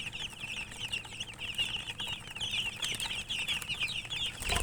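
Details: Chicks keep up lively high-pitched peeping, short notes tumbling over each other without pause, ending with a low thud as something knocks nearby.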